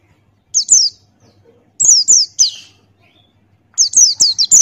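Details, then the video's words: Loud ngalas song of a Buxtoni white-eye singing open-beaked for a bird-training tutor recording: crisp, high downslurred notes in runs of two to five, with each note sliding quickly downward. "Masteran Pleci Buxtoni Ngalas Buka Paruh"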